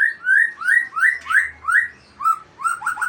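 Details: White-rumped shama from Aceh delivering a sequence of upslurred whistled notes, about six evenly spaced, followed by a quicker cluster of shorter upswept notes.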